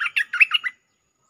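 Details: Bulbul lure song fragment: a tight string of six chattering, warbled notes rising and falling, then silence.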